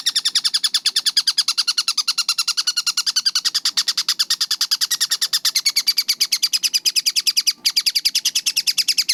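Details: Tengkek buto (collared kingfisher) chattering in a rapid close-spaced series: harsh high notes pour out continuously, with a single brief break near the end before the run resumes.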